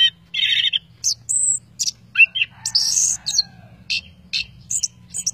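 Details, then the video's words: Orange-headed thrush in a training recording of lively, full-voiced singing with plentiful inserted phrases: varied bursts of shrill whistles, warbled trills and buzzy notes, sharply changing pitch, separated by short pauses over a steady low hum. "Anis Kembang Gacoor Dor Mental Baja"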